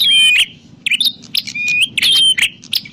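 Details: Prinia calls meant as a trapping lure: an opening thin whistle, then rapid high chirps and a level whistled note, in lively irregular bursts.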